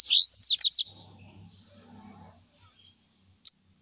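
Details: Indigo Bunting heard through loud, quick, high descending slurred notes in a burst lasting under a second, then a faint thin tone, a soft low rumble, and one more short high note near the end.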